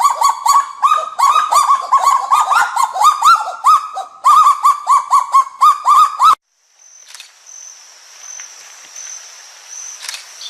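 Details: Kagu, said to be the noisiest bird in the forest: rapid runs of harsh, barking notes repeated about four per second for six seconds. Then a quiet gap and a faint high steady tone.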